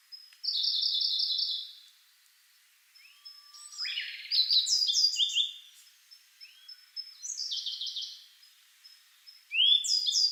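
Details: At Togakushi's Kagami Pond, a sub-adult grey bunting and a Siberian blue robin sing in turn: rapid buzzy trills alternate with rising whistles and high, tumbling chirped phrases.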